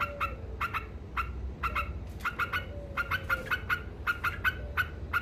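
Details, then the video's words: Yellow-vented bulbul (trucuk) in nonstop 'ngekek' chattering song, said to provoke rival birds: short harsh harmonic notes in quick pairs and triplets, repeated steadily, over a low constant hum. "Suara Burung Trucuk Ngekek Gacor Istimewa Bikin Emosi Lawan"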